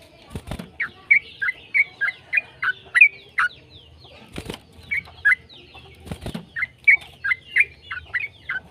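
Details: Singing yellow-vented bulbul, used to stir other bulbuls into song: series of quick, liquid warbled notes in steady runs, interrupted by three loud thumping or flapping noises.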